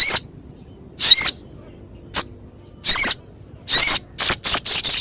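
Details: Harsh, sharp-voiced crescent-chested babbler used for songbird training: spaced, drawn-out grating notes, speeding into a quick closing burst of chatter.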